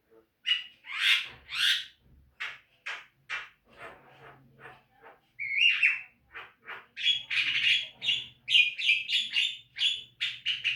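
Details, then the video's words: Javan myna song for training caged birds: loud rasping calls followed by softer scratchy notes, then a rapid, busy chatter of sharp squeaks and buzzy notes with a faint low hum behind. "Masteran jalak kebo agar rajin bunyi"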